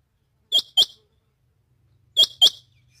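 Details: Female rain quail calling in the morning: two sharp, high doubled notes, each with a short lower element, then a pause of over a second and another matching pair, against a quiet background.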